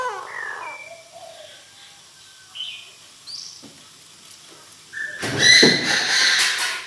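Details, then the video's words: Decoy Chinese francolin calling to gather the flock. Scattered soft whistled notes at varied pitches lead into a loud, harsh, grating outburst lasting about two seconds at the end. "Tiếng chim đa đa gọi bầy chim đa đa mồi gáy cực căng"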